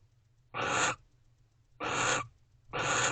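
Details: Barn owls, a pair in a nest box around 11:57 pm on 19 November 2023, vocalizing while sharing affection: three loud, noisy hissing screeches, each about half a second, repeated roughly every 1.2 seconds over a faint hum.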